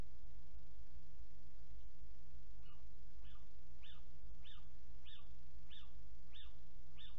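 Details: Little owl at a nest box on 29 January 2019, calling about six minutes after leaving it: a run of short, sharp, slightly falling notes about every half second, over a steady low hum.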